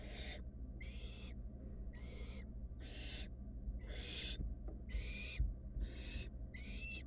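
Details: Wild barn owl nestlings in a monitored nest box, searching for food after a sibling swallowed a mouse quickly: harsh, broad hissing screeches of about half a second, eight in seven seconds, with a low steady hum beneath.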